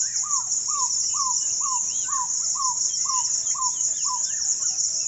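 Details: African barred owlet singing in Kenya: a steady series of about nine short, slurred, falling notes, roughly two per second, over a loud, high, continuous insect drone.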